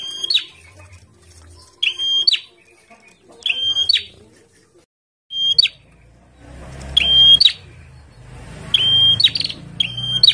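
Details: Bar-winged prinia, a kept bird set out in the sun, in lively song. Sharp high whistled bursts with buzzy ends come roughly every one and a half seconds, and a rumbling background noise rises in the second half.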